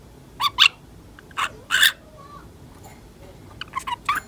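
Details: Young female budgerigar, a ten-month-old house pet, giving short bursts of mimicked chatter: two quick scratchy syllables, a pause, then more clipped, speech-like notes toward the end.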